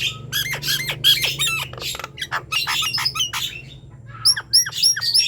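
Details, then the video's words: Nias hill myna singing hard, used as a lure to get silent birds singing: rough grating squawks and chatters, a short lull, then several clear ringing whistled notes and clicks, low hum behind. "Ocehan Jalak Nias Gacor | Silahkan di coba untuk pancingan bunyi jalak nias yang diam"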